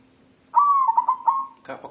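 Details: Restless white zebra dove, a local natural bird, calling in search of a mate: one gentle mid-pitched coo, a long sliding note followed by several fast rhythmic pulses, ending with a brief rough sound.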